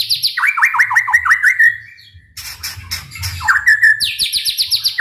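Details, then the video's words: Loud white-rumped shama song meant to provoke other shamas: a quick series of down-slurred whistles, a brief pause, a harsh noisy burst, then rising and repeated high notes returning to trills. "MURAIBATU gacor dor full TEMBAKAN ampuh untuk memancing EMOSI murai cepat bunyi | shama bird"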